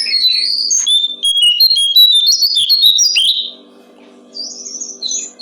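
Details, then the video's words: Brown-streaked flycatcher for songbird training, pouring out a continuous three-second stream of high, rapid chirps and whistles ending in a harsh slur, followed by softer high twitters over a low hum. "Masteran burung jongkongan coklat"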